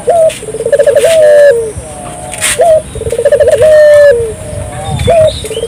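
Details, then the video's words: Barbary dove (burung puter) calling in gacor style, meant to set local doves calling: a short rising note, a quick pulsed stuttering trill, then a long level coo dropping at the end, about every two and a half seconds. "suara burung puter gacor,merangsang burung puter lokal ikut gacor"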